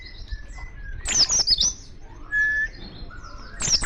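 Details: Wild Oriental white-eye calling other white-eyes: short bursts of very high, thin chirping twitters. Faint whistled notes from other birds are heard in the background between bursts.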